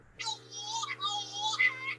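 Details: A male Scopoli's shearwater gives a high, nasal, wailing call of two exhaled and two inhaled syllables, alternating, over a low steady hum.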